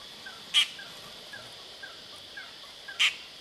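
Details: Dollarbird in Sydney, Australia: two short, harsh rasping bursts about two and a half seconds apart, with faint soft ticking notes between them over a steady high hiss.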